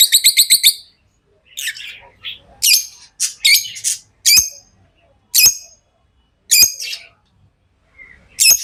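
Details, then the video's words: Tame pet lovebirds chirping: a rapid run of about eight sharp, high chirps in the first second, then scattered harsh squeaky chirps every second or so, with quiet gaps between. "Love birds Sounds | lovebirds chirping sounds"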